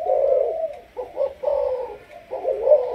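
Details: Malaysian-line spotted dove kept as a decoy bird, cooing in the sấm thổ style: deep, throaty coo phrases in four bursts about a second apart, each rolling and warbling before it fades. The background is quiet.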